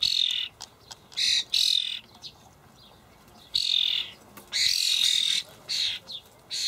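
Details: Juvenile common starlings fed by parents in a Hamburg allotment garden, late May 2012: a cluster of rough, hissing begging screeches, then a pause of over a second before a longer, louder run of rasping cries.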